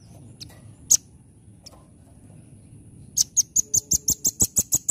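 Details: Rambatan, or velvet-fronted nuthatch, sings in nembak style: scattered single high ticks first, then a brisk regular run of about a dozen piercing, very high staccato notes.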